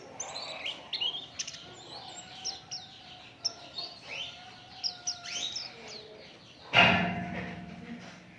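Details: Oriental white-eye lure song to spur other birds to sing: scattered high chirps and falling twitters over a faint steady hum, cut off near the end by a sudden loud noise.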